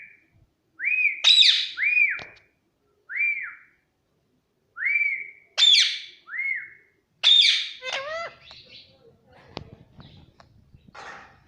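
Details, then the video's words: Pet Indian ringneck parakeet whistling clear, arched notes in short phrases of three with pauses between them, then trailing into softer falling chirps and scratchy rustles. "parrot chirping Sound _ Cute Indian Ringneck Parrot Mitthu voice"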